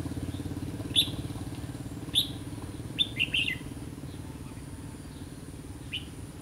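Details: Red-whiskered bulbul recorded during bulbul trapping on 16 October 2016: short, bright chirped notes spaced about a second apart, with a brief cluster near the middle, over a steady engine and motorcycle drone.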